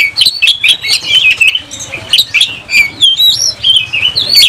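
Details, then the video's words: An agitated oriental magpie-robin sings in a fighting display with its tail spread. It pours out quick, bright whistles and twisting slurred notes, with a couple of pure, clear whistles near the end. "Kacer gacor langsung tarung buka ekor bongkar emosi"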